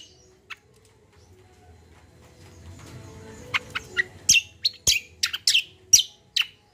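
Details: Gacor combo song of a common iora, intended to get untrained birds singing. A quiet opening with a single tick leads to a rapid series of loud, sharp, high chirps, roughly two per second, in the second half.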